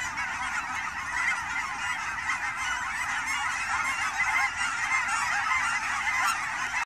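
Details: Canada geese on fall migration at Fern Hill Wildlife Area near Forest Grove, Oregon, among Willamette Valley ponds. A dense, unbroken chorus of overlapping nasal honks from many birds, steady in loudness for the whole stretch.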